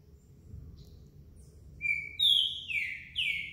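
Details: Green-winged saltator, a 2020 Brazilian champion song bird moulting its feathers, giving loud, rich whistled notes, a few slurred phrases in quick succession after a quiet start, over a low background hum.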